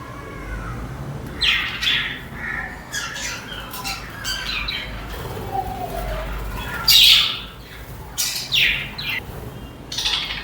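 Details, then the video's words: Budgerigars chattering with scattered harsh squawks and short descending chirps, spaced irregularly, one louder scratchy burst near the middle, against a soft background hum. "Peaceful Chirping Sounds"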